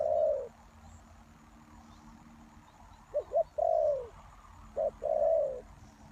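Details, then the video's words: Spotted dove kept as a lure for trapping wild doves: a low cooing phrase opens, then two more phrases follow after a pause, each of one or two short hoarse notes and a long coo that falls slightly. Quiet background. "Suara Tekukur Pikat"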